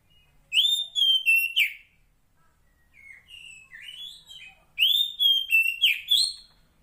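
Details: A female Oriental magpie-robin in the wild calls to a male with bright, clear whistled phrases: rising, slurred notes in two loud bursts with a softer, lower passage between.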